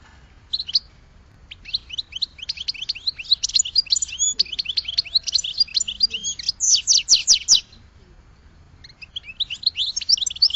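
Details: A goldfinch sings a long, unbroken stream of rapid tinkling twitters and liquid chirps for about seven seconds, falls quiet, then starts another twittering phrase.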